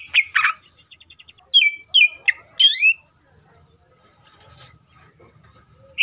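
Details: Greater green leafbird in full, aggressive song, used to provoke other leafbirds into singing: loud slurred whistles and a fast buzzy trill, then sharp rising-falling notes, followed by a quiet stretch with faint low rumbling.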